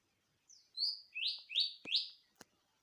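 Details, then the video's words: Greater green leafbird singing in the wild, used to stimulate other birds to sing: a series of bright, sweeping high whistles sliding downward, four main notes in under two seconds, with a few soft clicks between. "CUCAKIJO SUARA ALAM,PANCINGAN AMPUH UTK BURUNG BAHAN!!!"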